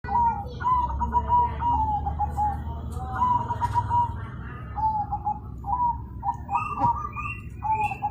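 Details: Zebra dove cooing loudly. Trilled, rolling coo phrases near one pitch repeat in a steady series, with short higher notes toward the end and a low background hum.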